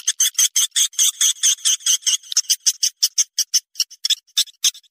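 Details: Swiftlet mating call: a quick, regular series of short, dry, rattling chirps, about five to six per second, slowing and thinning toward the end.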